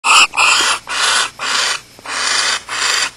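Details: Barn owls at a nest with chicks at Starr Ranch, 9:27 PM on 30 June 2010, after the male mated and likely delivered prey. Loud, harsh, broadband hissing bursts about half a second long follow one another with short gaps.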